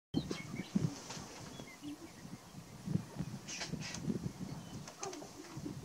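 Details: Male sharp-tailed grouse displaying on a lek at Burwell, Nebraska, on March 29: a busy chorus of low clucks, coos and rattling foot-stamping thumps, with sharp clicking bursts and a few scattered higher chirps over a steady background.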